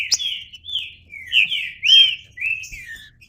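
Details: Green-winged saltator giving bold, clear whistled phrases, each swelling and slurring in pitch, with one especially loud arched note in the middle.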